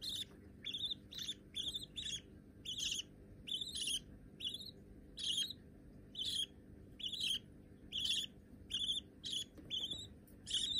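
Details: Baby budgerigar chicks, already hand-tame, give short, raspy, high chirps, roughly one a second in uneven runs, over a faint low hum.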